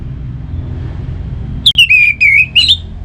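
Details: Orange-headed thrush song for prompting kept birds: after a quiet stretch, a rapid burst of about five slurred whistles, falling then rising again, over a low rumble.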